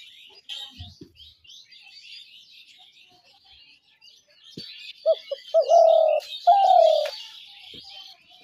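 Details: Dove trap sound of a spotted dove: a stretch of busy twittering from small birds, then a few short low coos leading into two longer drawn coos near the end.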